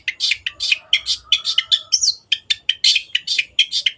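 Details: Long-tailed shrike (cendet) in full song, used for training kept birds: dense, rapid, scratchy chattering notes about four per second, with one thin whistled slur midway through.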